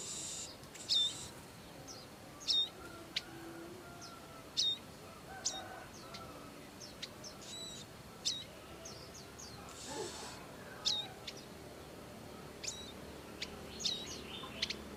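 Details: Wild Bar-winged prinia parents looking after their young: thin, high, clipped chirps scattered roughly every one to two seconds, fairly faint, with a short hissing burst near the middle.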